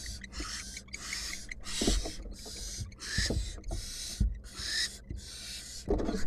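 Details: Wild female barn owl in a nest box, possibly attacking her mate or an intruder: repeated harsh hissing screeches, each about half a second long, in quick succession, with thumps and scuffling underneath.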